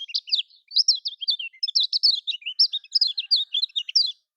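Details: Lombok-style Lemon-bellied white-eye song, meant to spur silent caged birds to sing: quick bursts of high, chattering chirps in an unbroken, lively stream over a quiet background.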